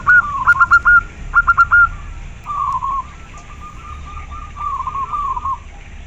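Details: Local zebra dove singing: quick bursts of soft, trilled cooing notes, first loud and stuttering, then longer, quieter rolling phrases with brief pauses between them. A faint low hum sits underneath.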